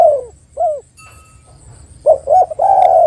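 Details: Spotted dove lure call meant to prompt other doves: a falling coo and a short hooked note, then a faint clatter. Quick double notes follow, ending in a long, steady, mellow coo.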